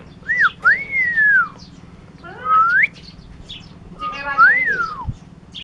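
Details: A clever starling from Curup, Indonesia, performs a mimicry repertoire. It whistles smooth arched notes that rise then slowly fall, a rising slurred phrase, and a wavering whistle, with short pauses between them over a faint low hum.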